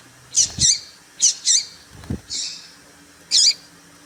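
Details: Female papa-capim (seedeater) calling to excite males into singing: short, bright, high chirps, some in quick pairs, about six over four seconds, with a couple of low dull thumps in the background.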